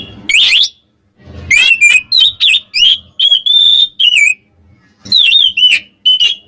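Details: Song of an Oriental magpie-robin, used to stir up rivals: a lively series of varied whistled notes, slurred upsweeps and a few sustained pure tones, coming in quick phrases separated by short pauses.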